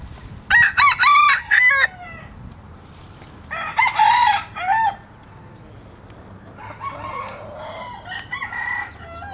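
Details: Several red junglefowl crows in turn: a loud, choppy multi-part crow, then a weaker similar one a few seconds later, and a distant crow trailing off at the end, over low background noise.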